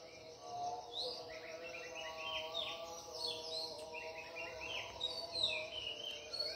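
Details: Several birds sing together at dawn at Ella Rock, with quick whistled and chirping phrases overlapping throughout, over a steady hum of background insects.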